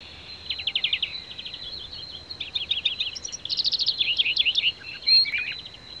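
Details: A wild European greenfinch sings fast, rolling twitters and trills in quick bursts, climbing and dipping in pitch, over a steady high insect-like whine.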